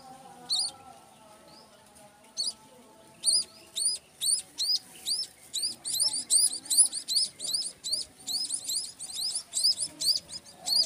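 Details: Munia chick, four days old and fallen from its nest, gives a rapid run of high, thin, arched peeps, about two or three a second, becoming steadier and more continuous; faint low background hum.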